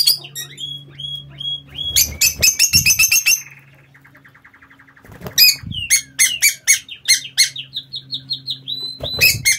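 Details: Captive lovebirds in an aviary squawk loudly in rapid shrill bursts, broken by a quiet stretch of soft rattling trill, then resume with sharp chirps and squeaky calls against a faint background hum.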